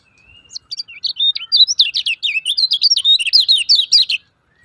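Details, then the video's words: Lemon-bellied white-eye chattering, played to provoke silent birds into song: a thin whistle opens, then a fast continuous run of high, wavering, rising-and-falling chirps, several per second, for about three seconds. "SUARA KECIAL KUNING CIAK CIAK JOS PALING AMPUH UNTUK SEMUA KECIAL KUNING MACET"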